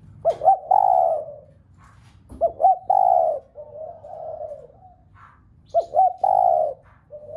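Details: Spotted dove calling to set other doves cooing: three low phrases, each two short rising hoots and a drawn-out coo, spaced a few seconds apart, with a fainter softer coo between them.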